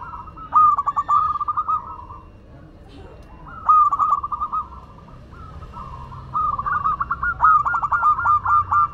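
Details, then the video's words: Local Madura zebra dove singing actively, giving soft, rapid stuttering coos that run into rolling trilled phrases. Three bursts are separated by short pauses, with a faint low background hum. "Perkutut Lokal Madura Gacor"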